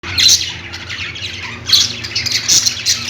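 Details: Budgerigars chirping: a flock chatters in dense, harsh, scratchy bursts with louder squawky peaks near the start and after 1.7 seconds. A steady low hum runs underneath.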